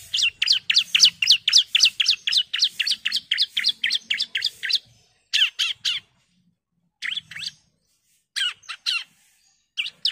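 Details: Female bar-winged prinia calling a male: a long, rapid string of sharp, high chirps, about four per second, then shorter bursts of two or three notes separated by gaps.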